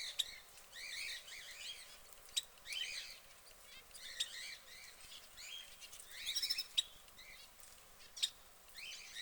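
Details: Caged orange canary calling in quick clusters of sharp, high tweets and rippling trills, phrases separated by brief quiet gaps, over low constant hiss.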